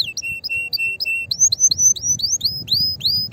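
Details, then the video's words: Canary singing to excite other canaries, with paired short notes repeated several times, then a series of clear whistles that rise and level off, repeated about every third of a second. "تغريد طائر الكناري هائج نار , لتحفيز على الغناء"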